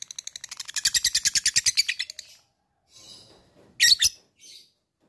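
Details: Bird calling to an opponent in the ngetik ngekek fighter style: a quick, rattling series of high, sharp ticking notes lasting two seconds, then a pause, a soft murmur, and two brief, loud, squeaky notes.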